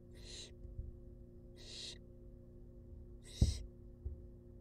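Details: Wild baby barn owls fed in a monitored nest box give three hoarse hissing screeches, the last ending with a sharp knock and a softer thump.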